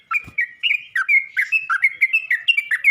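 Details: Continuous chattering from a yellow-vented bulbul calling to other bulbuls, with dense, rapid, slurred chirps that wobble up and down without a break.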